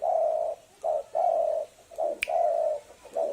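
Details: Lure recording of a spotted dove: drawn-out low coos alternating with brief clipped notes in a steady rhythm, one crisp click near the end of the run.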